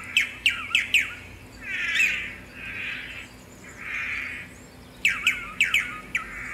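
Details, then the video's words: Swallow-tailed manakin (tangará) song: quick sharp descending chips in a short series, then three rounded nasal buzzy notes, then another burst of rapid downslurred chips. "Canto do pássaro "tangará""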